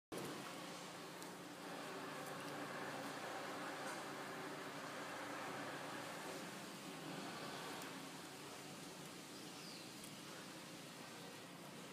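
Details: Steady broadband hiss and rustling noise throughout, like wind or distant traffic, with no clear animal voice.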